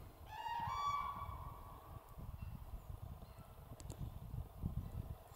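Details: A common crane in the Karkonosze mountains in early spring 2023 gives a single loud, trumpeting call with a ringing, nasal tone over wind rumble.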